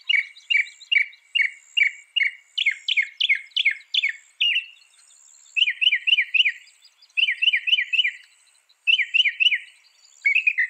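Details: A northern mockingbird, claimed able to copy 200 sounds, runs through changing phrases: steady chip notes, then a burst of downward-sweeping whistles, then quick triplet chirps repeated in bouts separated by short gaps.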